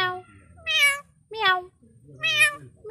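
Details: Pet parrot imitating a cat's meow indoors: three loud, nasal mewing calls, each rising and then sliding down, about one second apart. A person coaxes it in Bengali.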